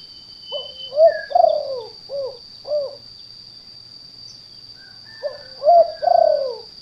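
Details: Spotted dove call played to lure birds in gardens and rice fields: a phrase of soft low coos with a longer drawn note, pausing about two seconds before repeating, over a constant thin high tone.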